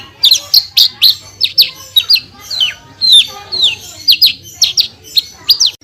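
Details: Indonesian branjangan, or Javan bush lark, singing a tutor 'tembakan' burst: lively high chirps and downward-sweeping notes delivered almost twice a second, one longer descending slur midway, against a faint low background hum.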